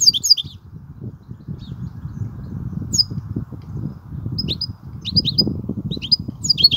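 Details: European goldfinch performing kubiya song: scattered high, clipped tweets and short chirp pairs separated by pauses, with a low constant rumble in the background.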